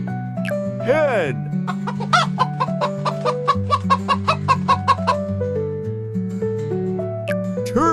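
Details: Rooster: a short rising-falling crow, then a quick run of about a dozen sharp clucks and another brief crow, over steady background music.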